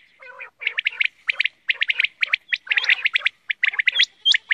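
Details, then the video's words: Quail chatter starts with a low gurgling note, then runs into quick, crowded chirps and squeaks with short upward whistles and a faint continuous hum behind. "Bater Ki Awaz"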